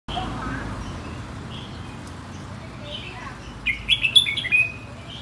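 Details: Red-whiskered bulbul from Phetchaburi singing in the plai loi style: after a stretch of low hum and faint notes, a quick burst of bright whistled phrases near the end, rising and falling over about one second.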